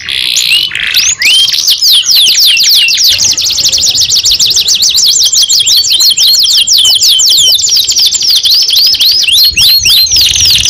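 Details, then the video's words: {'text': 'Canary singing: a few looping whistles open into long, very rapid repeated chirp runs, more than three notes a second, with looping whistles near the end.'} "KENARI PAUD BAKAL NYAUT 2 IN 1 | CANARY SINGING"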